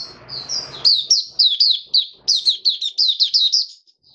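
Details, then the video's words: Open singing by a caged oriental white-eye, 20 January 2022, fifth day after monthly deworming. Soft high notes lead into a quick series of loud, bright, downslurred chirps about five per second. "Mata Puteh Raja Video 1 buka sing"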